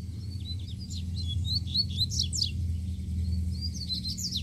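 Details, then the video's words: Double-collared seedeater singing loose outdoors, energetic rapid sequence of high sharp chirps and sweeping notes, densest near the middle, with a constant low-pitched hum underneath. "COLEIRO SOLTO FORTE CHEGOU PICANDO CANTO!!!"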